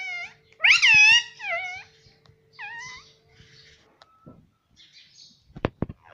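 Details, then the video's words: Pet parrot that talks, saying mummy: a loud drawn-out rising-falling call, then two softer repeats, faint chatter, and a few sharp clicks at the end. "Mummy Papa Bolne Wala Tota || Talking Parrot"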